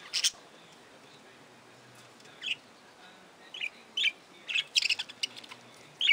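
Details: Budgerigars in an aviary: short, scattered bright chirps in separate bursts, a sharp one at the start, then a loose cluster of quick high tweets toward the end, with quiet gaps between.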